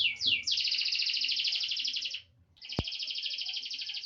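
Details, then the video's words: Eight-month-old grey songbird giving two quick slurred notes, then a long, even, buzzy rattling trill. After a short pause and a sharp click, another sustained buzzy trill follows. "Suara jos cengkok enak didengar.burung anda pasti langsung gacor"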